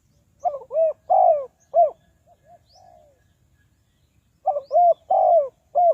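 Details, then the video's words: Spotted dove used as a lure for trapping wild doves, giving repeated low mellow coos in two short bursts separated by a quiet gap with a few soft notes. "Tekukur Pikat"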